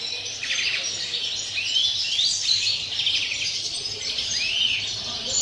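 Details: Greenfinch in 'cante puro campero' style, 30 December: fast high twittering interspersed with several distinct rising swept notes, steady throughout with faint background hum.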